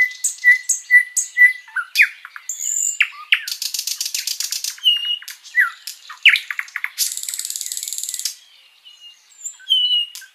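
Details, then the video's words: Sikatan londo flycatcher singing a long, continuous master song used to tutor pet songbirds: clear whistled notes near the same pitch, then a dense buzzy rattle, sharp downslurred chirps and a long harsh rasping trill. "Masteran Burung sikatan Londo gacor panjang"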